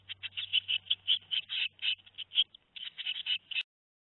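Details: Two-week-old tit nestlings at Théding, 13 May 2019, begging: dense, rapid bursts of high, buzzy chattering calls that tumble over one another for about three and a half seconds, then stop abruptly, over a faint low hum.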